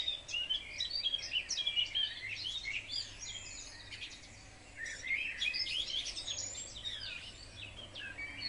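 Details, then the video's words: A group of house sparrows in a wildlife garden, active in fine spring weather and competing for the best nest boxes, chirps and chatters nonstop with rapid overlapping high notes and a short lull. "Huismussen met lentekriebels"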